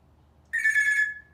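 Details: A talkative male African grey parrot, hatched in 1997, on a screen porch in Texas in the evening before dinner, is asked "telephone" and imitates a ringing telephone: one bright, buzzy electronic trill under a second, over quiet hum.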